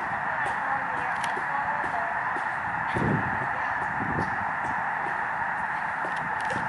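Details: A huge flock of migrating snow geese on Lake Springfield, Illinois gives an unbroken roar of high, nasal yelping honks, thousands of voices blending into one steady clamour that carries for miles along the shore.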